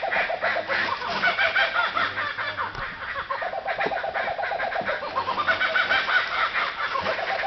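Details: Kookaburras laughing around a campsite at Alexandra Bridge, Western Australia: a continuous, rapid cackling chorus of rising and falling hoots and chuckles, several birds overlapping throughout.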